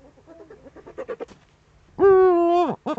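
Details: Eurasian eagle-owls on a nest webcam in the Eifel, 23 February 2015, 19:00, as the male brings the female a prey gift: about ten soft, quick clucks, then a loud, nasal wail under a second, and one short note.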